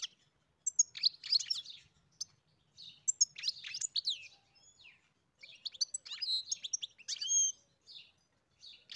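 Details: Farm goldfinch singing in several bouts of rapid, high, liquid twittering and chirps with short gaps between phrases.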